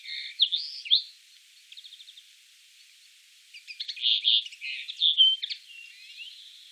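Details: Common linnet singing in Wittlich, Germany, 2018; quick twittered notes and a short ticking trill, a pause, then a livelier run of chattering, buzzy and slurred notes.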